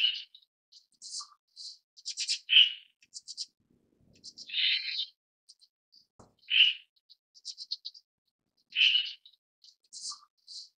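Red-billed Starling giving a jumble of high squeaky chirps and thin whistles, broken every two seconds or so by a harsh, grating burst; nothing else is heard.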